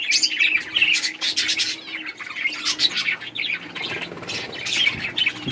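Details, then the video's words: Pet budgerigars chirp and warble continuously while eating and playing, short sweet notes tumbling over each other, with a faint low hum in the background. "Budgies beautiful colors playing and chirping"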